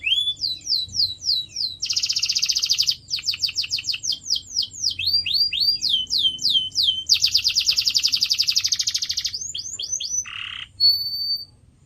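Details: Extended canary song meant for training pet birds: alternating runs of sweeping whistles and dense rapid trills, a low buzzy note near the end, then a clear high whistle.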